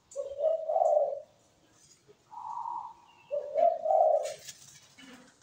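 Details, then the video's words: Zebra dove singing, recorded more faintly with a hiss and some background noise. Lower bubbling coos, a softer higher trill, then another pair of bubbling coos, ending among clattering, noisy sounds. "MEWAH PERKUTUT GACOR SUARA MERDU"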